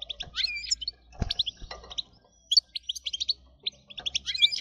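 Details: Goldfinch singing, a recording used to excite other goldfinches into nonstop song: rapid liquid twitters and chirps in uneven bursts, with a low hum and a few soft thumps in the background.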